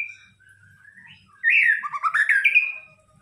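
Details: White-rumped shama lure song: a soft whistle sliding up, then a loud burst of rich, tumbling warbled notes that ends in a long, clear whistle.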